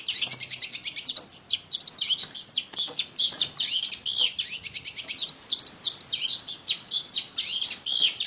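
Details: Long-tailed shrike in full, unbroken song with high and low notes, sweet-toned: a dense, continuous stream of quick varied chirps, trills and short whistled phrases, with hardly a pause throughout.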